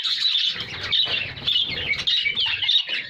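Black francolin giving harsh, grating, high-pitched calls in rapid, uneven bursts for about three seconds, with a faint low rumble underneath.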